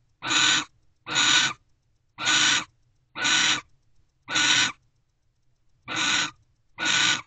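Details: Mating owl pair inside nest box Owl Box C, early morning, 12/28/23: a series of seven harsh, hissing screech bursts, about one per second, slightly irregular spacing, with a longer gap near the end.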